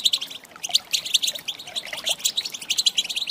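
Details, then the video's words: Goldfinch hen calls for rousing males into song: quick, bright chirps and twittering notes, slightly rising, tumbling in irregular clusters with a short quieter gap early on. "Saka Huylandırma Sesi"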